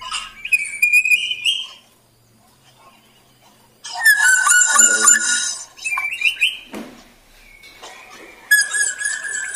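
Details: Actively singing male black drongo, a lure recording meant to prompt other birds to sing; bursts of rich harmonic whistles, slurred and wavering notes and a rising phrase, separated by short silences.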